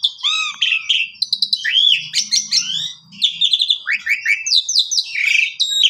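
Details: Asian pied starling song used as canary master material: looping slurred whistles rising and falling, fast squeaky chatter and sweeping upward notes, with a faint low hum underneath.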